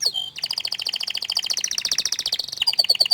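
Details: Canary, described as shy to show its face, singing loudly: fast trills of rapidly repeated high notes, shifting from one rattling tour to another, ending in sharp whistled upslurs.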